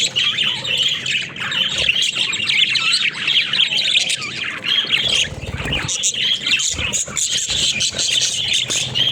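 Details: Flock of budgerigars playing in a cage, loud continuous warbling chatter and squawks, with a few brief pauses and clicking sounds in the middle.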